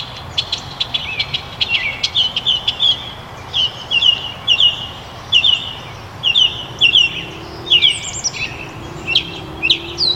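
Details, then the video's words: A Northern Mockingbird sings a steady run of constantly changing phrases, high chirps and slurred notes, each repeated a few times before switching, some like other birds, over a faint background hum. "The mockingbird's song is unmistakable."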